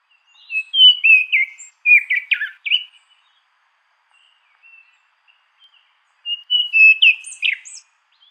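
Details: Orange ground thrush singing: a quick, warbled phrase of fluty whistled notes with sliding pitch and short trills, a few seconds of near silence with faint notes, then another similar fluting phrase.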